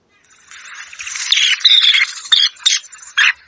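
A Dunlin gives a run of harsh, buzzy, high-pitched calls, a few loud rasping bursts spaced unevenly over about three seconds.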